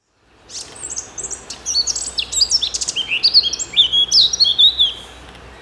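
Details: Eurasian blackcap song from Denmark: a fast, varied warble of sweet, chattering notes that builds into louder, clear fluted phrases over about five seconds, high-pitched and mostly free of other sounds.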